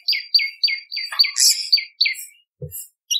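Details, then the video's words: Bar-winged prinia song used as a tutor recording and lure: a series of sharp downslurred chirps repeated about every quarter second, with a brief buzzy burst midway and a short low knock near the end. "Masteran Prenjak Lumut ! Variasi Suara For Murai C Ijo Cungko / Pancingan Prenjak Gacor /Suara Pikat"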